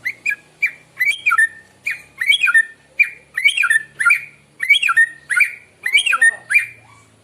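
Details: White-rumped shama singing in the morning, a recording used to lure birds: loud, varied whistled phrases with sweeping up-and-down notes, repeated in short bursts roughly every second throughout.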